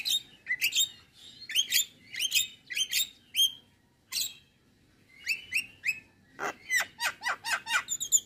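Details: Morning song from a male Javan myna, recorded as a tutor track full of varied fills: bursts of squeaky chirps and whistles in short groups, a silent pause, then a rapid string of sharp clicking notes.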